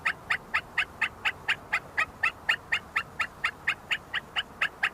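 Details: Rhythmic, rapid chain of short bright whistled notes, about two per second, from a group of see-see partridges searching for food and fighting at the University of Sulaimani in Kurdistan.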